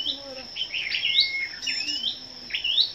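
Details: Several scarlet-backed flowerpeckers competing in song on the morning of 10 May: a few sweeping, squeaky high notes with slurred rises, a faint lower tone underneath, and a steady high hum.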